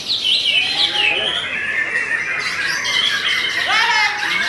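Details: Murai Batu Belanda, a white-rumped shama, in steady song: sweeping high whistles slide down and up, with a few lower rising warbles underneath and a continuous busy chatter.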